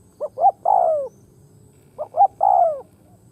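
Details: Spotted dove kept as a decoy on the ground, cooing to lure wild birds; two phrases a little under two seconds apart, each two brief notes then a sustained, falling coo.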